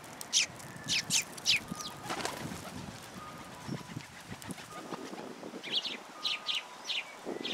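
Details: At a Tenmangu shrine feeding platform on 14 February 2023, sparrows come for food; strong chirps open and close the stretch, with a noisy, rumbling middle carrying only faint calls.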